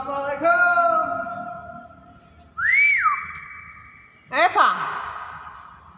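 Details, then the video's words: Hill myna imitating sounds indoors: a long flat whistled tone, then a sharp rising-falling whistle held steady, then a harsh burst sliding into another level whistle, with faint room background. "burung beo ngomong unik"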